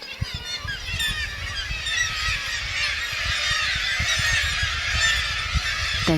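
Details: A dense breeding colony of black-legged kittiwakes (Rissa tridactyla) in the Arctic in spring, with mating and territorial quarrels at nests, gives many overlapping nasal, wailing calls rising and falling at once, over a low rumble of wind and surf.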